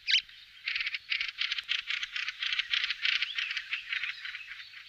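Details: Fieldfare alarm calling: a harsh, rapid chattering series of dry 'chack' notes, fast and steady for about four seconds after one brief higher squeak, with background music.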